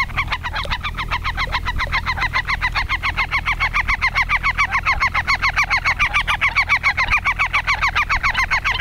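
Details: Black-tailed godwits mating on 10 April 2020 at 16:10 in Ochsenmoor, Hüde, recorded in spring; a fast, regular stream of sharp, nasal repeated notes, about three or four per second, over low background rumble.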